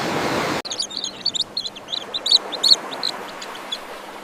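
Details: Common terns in a breeding colony: many short, sharp high calls overlapping in quick irregular bursts, several callers at once, with a couple of louder notes standing out after a brief burst of rushing noise at the start.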